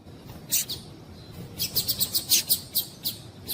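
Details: Female rusty-collared seedeater calling, used to excite males into singing: short high chirps, two at first, then a rapid run of about ten sharp notes repeated roughly every fifth of a second, clean background.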